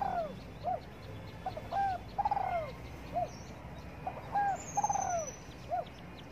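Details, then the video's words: Sunbathing spotted dove in the morning, giving two full cooing phrases back to back, each of short hollow notes, a quavering falling coo and a clipped final note, over light background hiss. "Cu Đất Gáy Gù Phơi Nắng Sáng"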